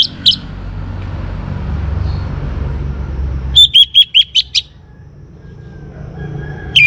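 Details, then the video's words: Young orange-headed thrush, kept for training other birds to sing, gives a short burst of clear whistled notes near the end, five quick slurred phrases around three seconds in, over low rumbling background noise. "ANIS MERAH Muda Gacor Untuk Pemancing Burung Berani Berkicau"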